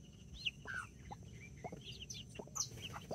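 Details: Backyard chicks with their two mother hens, four mini chickens and five Brahma, October 24th 2024: loud, high, slurred chick peeps, some rising and some falling, tumbling quickly over one another, with low background noise.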